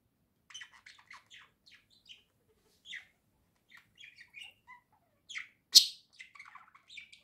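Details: Two domestic budgerigars chirping in a room: sparse, soft, short twittering notes scattered over several seconds, then one loud sharp squeak followed by a quick run of chatter.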